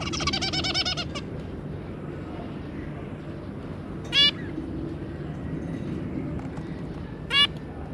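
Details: Zebra finches, a pair with three juveniles, recorded 2 August 2022: a quick burst of nasal, buzzy stacked notes in the first second, then two short single nasal calls spaced about three seconds apart over a steady low background hum.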